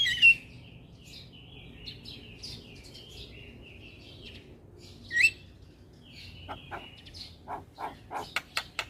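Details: Starling meant to set silent caged starlings singing, with soft, warbling whistled phrases and sharp squeals, ending in a quick row of dry clicks.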